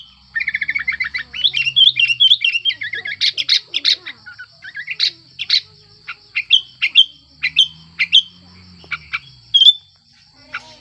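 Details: Breeding-condition sooty-headed bulbul singing to provoke other bulbuls: an opening rapid stuttering run, then varied bubbly whistles and sharp chirps that thin out toward the end, with a faint low hum.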